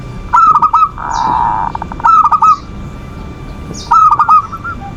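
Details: Zebra dove giving the manggung song used as bait for rival birds' emotion: clusters of four crisp arched coos separated by one long humming rolled phrase, repeated, with high twittering of other birds in the background.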